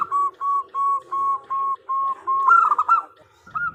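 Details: Female zebra dove calls the male, a call used as a lure: seven evenly spaced short whistled coos, then a louder warbling trill and one last note after a pause.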